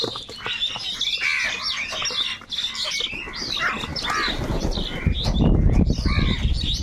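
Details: Crows calling angrily while fighting over food: dense, overlapping harsh cawing and squawks from several birds, with wing flaps and a loud, noisy low rumble building in the second half.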